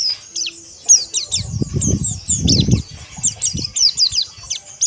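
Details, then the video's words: Pleci, a white-eye kept for song training, giving rapid high chirping trills throughout, with loud low thumps and rustling, like wing flapping in a cage, in the middle. "Terapi Pleci Ombyokan Agar Ngeriwik Kasar Dan Ngalas"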